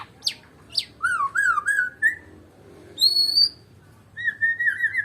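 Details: A white-rumped shama of the Medan type sings clear, looping whistles: two high down-slurred notes, a wavering phrase, a long high whistle, then a rolling warble.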